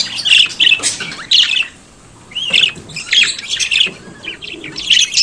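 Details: Pet budgerigar singing and chattering: clusters of scratchy, warbled chirps with upward slides, a brief silence midway, then more rapid buzzy phrases.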